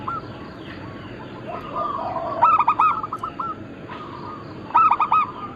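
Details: Zebra dove of local Bangkok-cross stock, kept to encourage other doves to call, utters two bursts of rapid, loud hollow coos about two seconds apart, with softer cooing and hiss in between.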